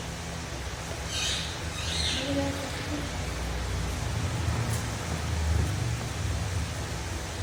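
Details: Alexandrine parakeet (Psittacula eupatria), call.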